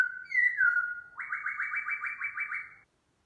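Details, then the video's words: Morning song of a black-throated laughingthrush while it sings and dances: a smooth, sliding whistle that dips, followed by a rapid, even, rattling trill of repeated rising notes lasting over a second. "khướu mun hót múa chào buổi sáng"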